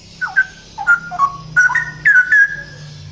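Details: Loud male straw-headed bulbul in full song, ropel style: bubbling, fluid whistled notes, first short and separated, then running into longer rolling phrases near the end.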